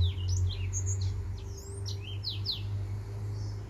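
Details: Singing finch, called a white tip finch, delivering brief high whistled slurs and sharp downward chirps in a quick uneven run, with a constant low droning hum beneath.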